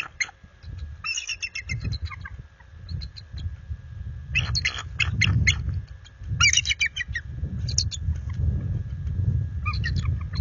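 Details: After dark on February 26, 2022, a nesting bald eagle pair in full defensive mode calls at an intruder eagle. Scattered, shrill, staccato chitters come in irregular bursts over heavy, continuous low wind rumble.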